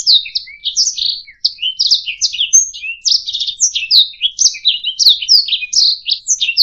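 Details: Canary singing for use in training songbirds, pouring out a busy stream of buzzy trills and short chirps at high pitch, a brief pause near the start, then steady varied phrases with a few clear whistles.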